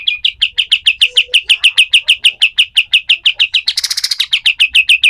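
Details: Pied triller singing a harsh 'besetan kasar' style song for use as a tutor recording for other birds: a fast run of sharp, downslurred chirps, about three per second, broken briefly by a dense buzzy rattle midway.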